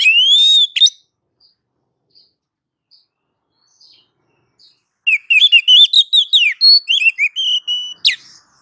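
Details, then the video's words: Oriental magpie-robin training recording: an opening rising whistle and a few soft chips, then a rich rapid phrase of varied warbles and whistles that ends in a sharp descending note. "suara masteran Kacer"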